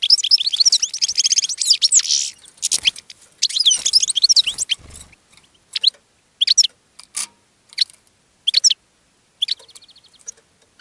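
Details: European goldfinch singing in a cage to attract other goldfinches: a loud, fast, tinkling twitter of high liquid notes and buzzy trills for about five seconds, then separate short bursts of chirps with brief pauses between them.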